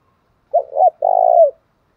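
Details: Spotted dove of the thổ pha đồng style uttering one phrase: a double coo followed by a long, steady, low coo that drops at the end.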